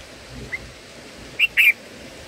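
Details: Black-headed bulbul nestlings in the nest during parental feeding give a faint high chirp, then two quick, thin squeaky calls in close succession over a soft background hiss.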